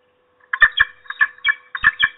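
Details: Female peregrine falcon at the nest, guarding against an intruder: a run of harsh, clucking chattering notes in short paired bursts, repeated about every quarter second with a steady low hum beneath.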